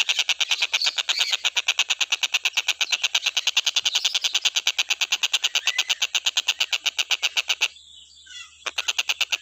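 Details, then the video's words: Stork-billed kingfisher, played as masteran tutor song for other cage birds: long unbroken train of hard, scratchy notes near three per second, a one-second gap near the end, faint thin whistles in the pause. "TENGKEK BUTO KHUSUS BUAT MASTERAN,FULL KICAU GA ADA BERHENTI NYA"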